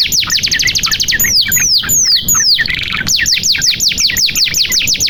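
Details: Vigorous canary song, the 'gacor' kind used to stimulate reluctant canaries: rapid trill, a few long descending whistles, a brief buzzy rattle, then an even run of quick repeated swooping notes.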